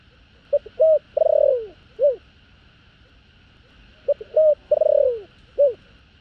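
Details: Spotted dove calling in 'thổ đồng' style to excite wild birds: a mellow phrase of short hoots swelling into a long drooping coo and a single trailing note, repeated twice, against a faint steady electrical hum.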